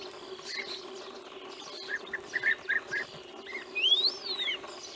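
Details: Wild European bee-eaters recorded in Romania in 2016: short, rolling, mid-high notes given in a quick run of five or six, then a higher rising whistle near the end, over a steady low background hum.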